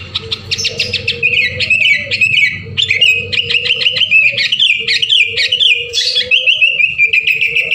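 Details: Sooty-headed bulbuls sing persistently to prompt others into song; a steady stream of overlapping chirps and sliding warbles continues without break over a droning background tone.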